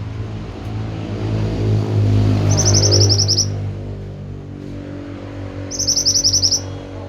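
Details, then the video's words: Pied bushchat in lively song: short trills of quick, high, bright notes, one burst midway and another near the end, while a passing vehicle rumbles loudly underneath. "Masteran burung Mantenan gacor"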